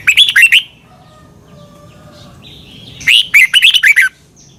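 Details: A caged-bird training song of the Red-whiskered bulbul, Thailand: two short bursts of bubbly, fast-tumbling notes separated by a pause of about two and a half seconds.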